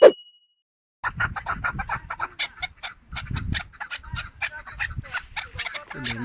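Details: Four-year-old chukar partridge in Tajikistan, 2021, giving a run of sharp, harsh chuck notes repeated several times a second after a second of silence, with a faint low rumble behind.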